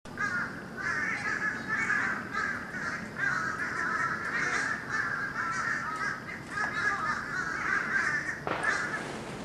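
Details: Huge flock of birds over Florida on 31 December 2011, the sky black with them, taped on a camcorder from a lanai: dense, continuous chatter of countless overlapping harsh calls, with a brief thud near the end.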